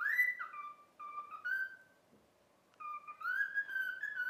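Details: Cockatiel taught to whistle "If You're Happy and You Know It": harmonic-rich whistled notes alternating high and low in a sing-song phrase, a silent gap of over a second, then a further run of stepped whistles.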